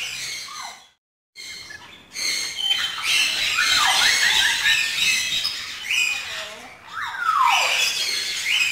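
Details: Lory eating dragon fruit; loud, harsh, continuous squawking and screeching with descending rasping notes, briefly interrupted by a silent gap near the start.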